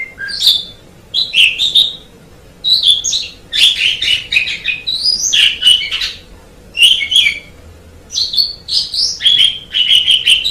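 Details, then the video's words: Asian pied starling in song for training birds. Bursts of squeaky whistles and grating chatter come in phrases of one to two seconds, separated by brief silences. "MASTERAN JALAK SUREN MEMANG SANGAT BAGUS SUARA KICAUNYA"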